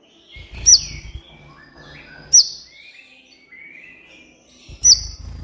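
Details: Van Hasselt's sunbird (kolibri ninja), a lively master recording used to train and stimulate captive birds: three sharp, very high chips about every two seconds, linked by thin sliding whistles, over soft low thumping.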